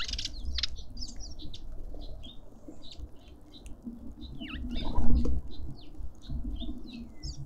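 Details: Several Cut-throat finches squabbling over food at a suburban garden feeder in Pretoria, South Africa: a steady run of short, high chirps and downslurred tweets from many birds, with wing flutters and low background rumble.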